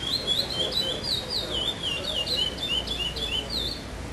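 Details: Chestnut-bellied seed finch singing in a 'Pardo sem Repetição' tournament category at Vinhedo on 05/08/2012, placed fifth: a continuous run of high, slurred whistled notes, rising and falling and linked into a flowing phrase, over a low background murmur.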